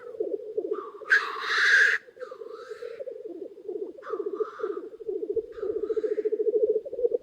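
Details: Black grouse lek in early spring with many cocks near a hide: a loud, rushing hiss early on and two softer hisses later rise above a continuous low bubbling rookoo.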